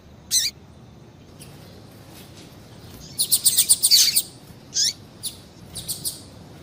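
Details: Female double-collared seedeater calls used to excite a male into singing: high thin chirps with falling sweeps, a single note then a rapid cluster of bright chips near the middle, followed by scattered short notes.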